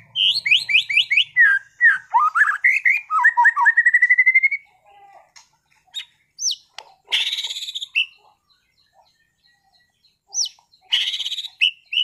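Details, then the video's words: Caged contest-class white-rumped shama from Sragen bursts into a dense cascade of varied whistles and slurred notes, ending in a long rising trill, followed by pauses broken by harsh buzzy rattles and sharp upslurred whistles. "MURAI BATU TEMBAKAN ISTIMEWAH gacor bongkar materi kelas lomba murai"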